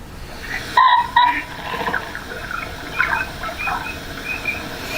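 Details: Ring-necked pheasant, a bird introduced rather than native, less common than it once was and known to hunters, played back as a quiz sound: two loud, harsh, abrupt squawks in quick succession, followed by softer rustling and faint background noise.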